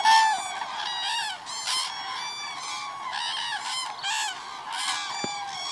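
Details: Cranes calling at Agamon HaHula on 30 December 2014. Repeated bursts of harsh, harmonic trumpeting calls, roughly two per second, overlap from many birds in a busy flock chorus, with one sharp click near the end.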